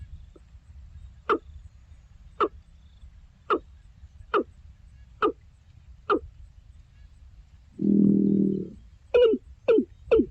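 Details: Watercock calling: short, hollow knocking notes repeated roughly once a second over a low rumbling background, interrupted by a brief broad burst of noise, then three quicker knocks close together at the end.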